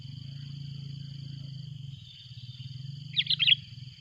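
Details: Sooty-headed bulbul, noisy calling as a rival comes near. A low hum fills the first three seconds, then a brief loud burst of several chattering, bubbly notes near the end, with a steady high-pitched drone throughout.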